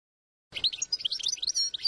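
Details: Short burst of European goldfinch song, meant to train young birds: a quick jumble of high tinkling chirps and short slurred notes, starting after half a second of silence.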